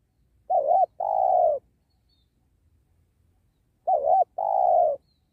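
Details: Spotted dove of the penguku type, with many filler notes, lured beside a sacred tree; a pair of phrases, each a quavering brief coo then a long smooth descending coo, with faint low background hum.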